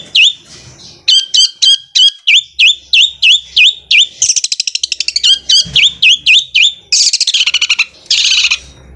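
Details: Long-tailed shrike giving its lively sewing-machine song, a fast mix of high dipping whistled notes broken by very rapid buzzy rattling trills and dense scratchy bursts.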